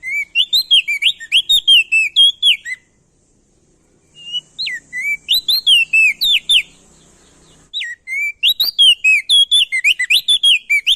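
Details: Loud calling male Crested White-eye from Nusa Tenggara, meant as a lure: three long bursts of rapid, ringing whistled notes pouring out almost without break, separated by brief pauses.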